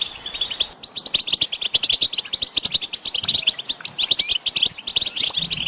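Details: European goldfinches twittering as a group to stimulate a male to sing: rapid, tinkling notes in quick bursts, a brief pause near the start, then unbroken bright chatter with buzzy accents.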